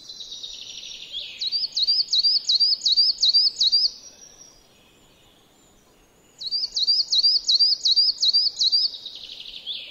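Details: A coal tit in a yard in Joroinen gives two bursts of thin, high two-note phrases, about six or seven quick repeats each, with a pause between. Only faint background noise otherwise.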